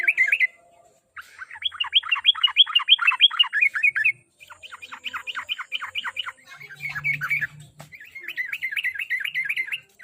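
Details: Sooty-headed bulbul singing, played to coax a kept bird into regular song: long runs of rapid, sharply falling chirps, roughly three per second, broken by brief gaps, with a low hum midway.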